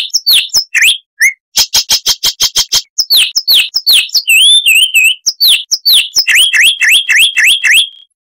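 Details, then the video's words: Loud, crystal-clear Chestnut-vented warbler song of quick clicks and sharp chips, breaking into looping slurred whistles and fast warbled phrases that tumble up and down. "Masteran Burung Luar Negeri Suara Asli Kristal HD - Chestnut-vented Warbler (Sylvia Subcaerulea)"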